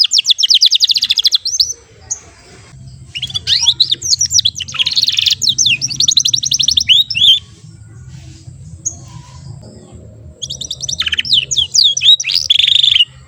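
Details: Young AF canary, past its babbling stage, learning to sing in short rolls: bursts of rapid high trills and sweeping notes, then a silent pause of several seconds before another trilled phrase, over a low steady hum.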